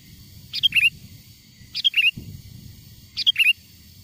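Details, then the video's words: Wild sooty-headed bulbul calling, a sound used by bird-catchers to attract wild bulbuls: three crisp phrases, each a quick run of two or three clear, slightly rising whistled notes, spaced about one and a half seconds apart, with faint low rumble beneath. "SUARA PIKAT BURUNG KUTILANG GACOR, PANGGILAN KUTILANG LIAR AGAR MENDEKAT!!"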